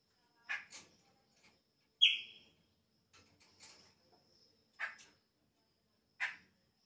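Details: Chopi blackbird at the start of the breeding season, its song changing: a loud sharp whistled note near the middle, between several short buzzy broadband bursts spaced about a second apart, with quiet gaps.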